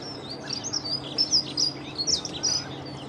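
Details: A dunnock (Prunella modularis) singing at close range beside the Long Water: a quick, high, jingling warble of thin tumbling notes running about three seconds without a break, over a faint low hum.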